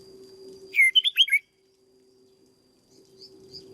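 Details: Single quick phrase from a caged red-whiskered bulbul in training, four or five clear, looping whistled notes delivered in under a second, then near silence with a faint hum and soft high chirps.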